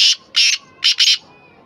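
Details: Black francolin, known locally as kala or Sindhi teetar, recorded 10 November 2024: four loud, harsh, rasping notes, two short then a pause and a quick pair, grating and broadband, followed by quiet background.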